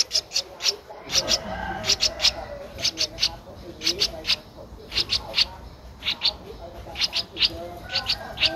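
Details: Streak-eared bulbul nestling, 12 days old, its eyes opened at seven days, recorded in Ubon Ratchathani, Thailand, on 14 April 2023. Short, sharp, high chirps come in quick pairs and triplets, repeated steadily throughout over a soft low murmur.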